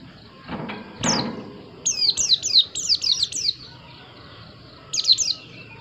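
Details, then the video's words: White-eye song: after two dull knocks, a rapid string of about eight high, thin, down-slurred whistles, then a shorter burst of three near the end. A quiet hiss runs underneath. "Plecimu Langsung Nyaut, Dengar suara burung Pleci yg satu ini"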